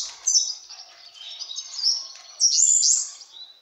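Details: European serin (Serinus serinus), male pouring out excited courtship song at a female goldfinch: a fast, very high, jingling run of scratchy buzzes and twitters, surging louder in a final burst.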